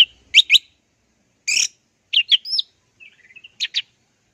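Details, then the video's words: Orange-headed thrush, 'teler' style song. Short, separated bursts of rich, buzzy whistles are followed by a soft, rapid twitter and a final pair of emphatic notes. "JUARA MASTERAN TELER ANIS MERAH PLONG DAN TELER!"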